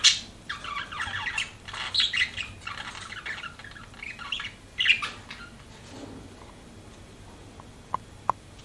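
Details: Pet budgies chirp and chatter in harsh, buzzy warbling bursts for about five seconds, then it fades to near quiet with a few faint clicks.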